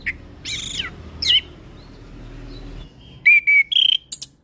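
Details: Orange-headed thrush singing as a lure and tutor for young thrushes: a buzzy warbled phrase and a slurred note, a quiet pause, then clear level whistles and short chips.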